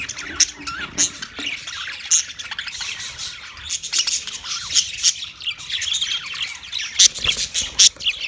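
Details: Yellow male budgerigar giving a mating sound: dense, continuous high chirping and warbling chatter with sharp clicks and squeaks scattered throughout, busy and overlapping like several birds calling at once.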